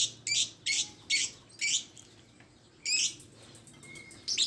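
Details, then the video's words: Shrill, piercing lovebird shrieks in four quick evenly spaced bursts, then a pause and two more harsh calls. "Suara burung Lovebird"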